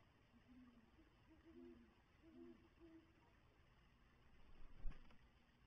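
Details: A male great horned owl calls his nesting mate, who has two eggs, to come share his meal, and she replies; soft, deep hoots, five or so muffled notes in a few seconds, with a sharp knock near the end.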